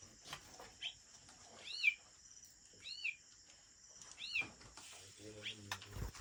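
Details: White-rumped shama from an original Lamteuba breeding line in Aceh: three arched, clear whistled notes, each rising then falling, spaced a little over a second apart. Soft voices and clicks sound in the background.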